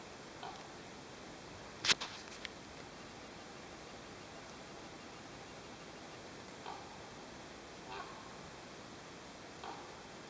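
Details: Common raven in Brandenburg, September 2011, giving an unusual call: one sharp, woody knock, a few soft clicks, then three brief hoarse notes spaced a couple of seconds apart, the middle likened to wild boar grunting.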